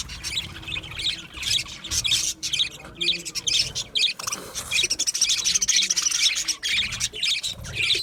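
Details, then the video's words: Aviary budgies, several birds, keep up busy chirping and chattering, with bursts of sharp high notes every second or so and an almost unbroken background of flock noise. "Budgie chirping sound | Budgie parakeet singing | Budgie aviary sound"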